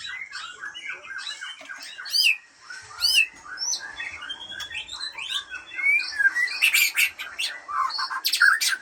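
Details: White-rumped shama of Aceh, original breeding bird from Lamteuba: varied loud song of whistled slurs, sweeping notes and rapid chattering bursts, rising to dense high trills near the end.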